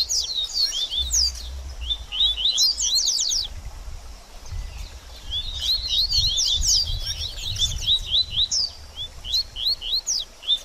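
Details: Double-collared seedeater in baderninha song, intended to excite a coleiro after feather moult. Bursts of quick high slurred chips come in groups with gaps between them, over a steady low rumble of background noise.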